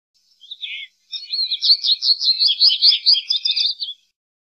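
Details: An American goldfinch opens with one short high note, pauses, then breaks into a long rapid warble of tumbling, twittery, squeaky notes lasting about three seconds.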